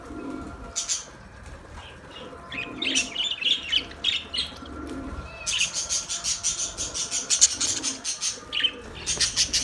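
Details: Chirping Australian parrot: scattered high notes at first, then a fast, continuous run of rapid twittering chirps through the second half.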